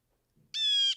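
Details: Blue jay outdoors, heard from inside a house, gives a single harsh, nasal call held steady for under half a second after a faint low indoor rumble.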